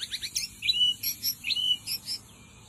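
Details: White-rumped shama song used as a lure deep in the forest: quick high sharp notes, repeated in rhythmic bursts about every quarter second, mixed with short whistled slurs, then fading out.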